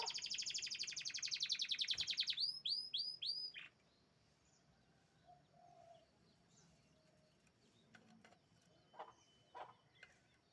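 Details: Champion canary singing a fast, dense trill of rapid repeated high notes for about two and a half seconds, then a few looping swooped notes, followed by near silence with faint distant chirps.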